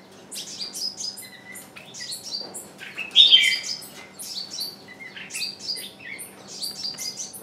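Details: Decoy bird keeps up its calling to bring in wild birds that won't come; steady high-pitched chirping in quick falling strokes, punctuated by one loud harsh note early on.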